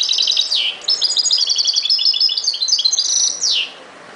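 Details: Sustained goldfinch song: dense, bubbling high twitters in a continuous flow, broken by two buzzy downward-sweeping notes, then falling silent.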